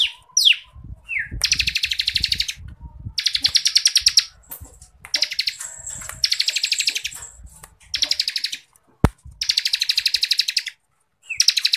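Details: Bar-winged prinia (ciblek kristal) in 'ngebren rapat' style, a song used as masteran for contest birds: dense buzzy trilled bursts of about two seconds, broken by short sharp upslurred notes and brief gaps, with faint low thumps underneath.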